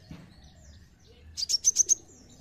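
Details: Brown-throated sunbird song played as a lure so other birds join in: near silence, then a rapid run of five piercing high notes in about half a second, with faint low rumble beneath.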